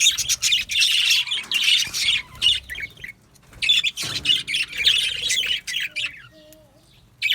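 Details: Yellow male budgerigars in an aviary colony, a dense flock chatter of scratchy, buzzy chirps and warbles bunched in bursts, with quieter gaps near the middle and end.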